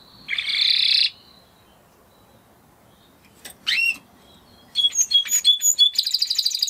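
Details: Spanish Timbrado canary, the breed closest to wild canaries, sings in bursts: a buzzy one-second trill, a pause, a quick rising sweep, then a run of rapid ringing repeated notes.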